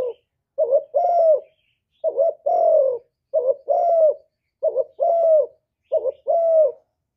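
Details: Spotted dove, hạp bổi voice, full song of calling, urging and cooing, recorded live and noise-free; a steady series of about seven low paired coos, each a short bent note then a longer falling tone, roughly one per second.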